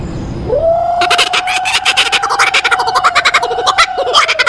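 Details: Kookaburra song that opens with a long, steady, slightly wavering hoot. Fast, stuttering cackles quickly join in and carry on over it, giving a busy, laughing chorus.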